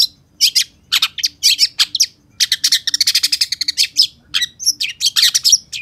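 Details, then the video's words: Energetic long-tailed shrike (cendet) song: dense chattering runs of harsh, high notes mixed with whistled chirps, delivered almost without a break. "Suara Cendet Pentet Gacor DOR"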